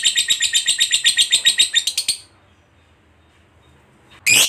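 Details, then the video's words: Lovebird in ngekek song, played to set other lovebirds singing: a run of rapid harsh chattering notes for about two seconds, then quiet, then one sudden loud screech. "Suara Burung Lovebird DURASI PANJANG, TERBUKTI Paling Cocok Buat Pancingan Labet Agar Cepat Ngekek"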